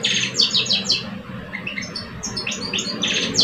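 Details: Algerian caged male goldfinches, one older and one aged two, in a song contest; fast, busy twittering with repeated high ringing notes, about three per second, and brief lower chirps midway, faint hum beneath.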